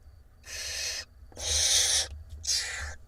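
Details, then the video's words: Six barn owl nestlings in a nest box camera in Israel beg as their mother feeds them, April 2021: three drawn-out, breathy screeching hisses in quick succession. "Mom feeding her hungry 6 nestlings in the תנשמת LIVE Barn Owl Israel Cam"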